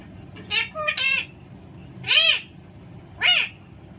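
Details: Alexandrine parakeet giving loud, rough, harmonic screeches in short bursts spaced about a second apart, each sweeping up and down, over a low background rumble.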